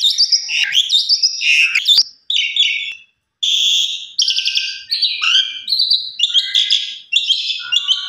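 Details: Caged Asian pied starling song played indoors as a lure to prompt singing, full of harsh chattering bursts, buzzy rattles and short whistled slurs, broken by a brief pause midway.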